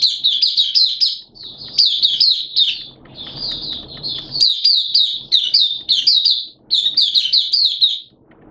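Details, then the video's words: Oriental white-eye cage bird in full open song on 11 September 2022 amid wet, erratic weather; near-continuous high, rapid twittering, phrases of quick bouncing chirps strung together with only short breaks and a brief low rumble. "Mata Puteh T-Rex Buka Sing"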